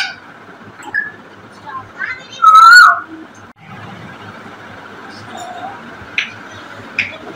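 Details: African grey parrot singing: a single loud, pure whistle that rises and wavers briefly, followed by faint short chirps and quiet background hum.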